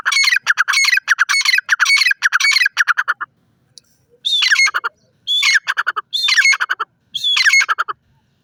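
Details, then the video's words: Grey francolin calling loudly: harsh, ringing, rapidly stuttered phrases repeated in five bursts, the first long and the rest about a second each, with short silent gaps between and nothing else audible. "Teetar Bird beautiful teeter sound"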